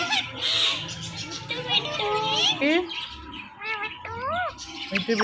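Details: Pair of pet Indian ringneck parakeets, male and female, giving natural sounds and voices: hoarse speech-like chatter, wavering bent whistles, and two clear rising-falling harmonic calls toward the end.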